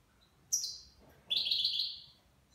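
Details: Nine-month-old goldfinch with Levantine-style song: a sharp high chirp followed by a drawn-out bright trilled note, with quiet background.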